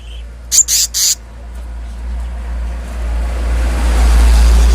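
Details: Selendang biru, also called kehicap ngombyok, producing three rapid harsh, buzzy rasps in succession, then rumbling background noise gradually building.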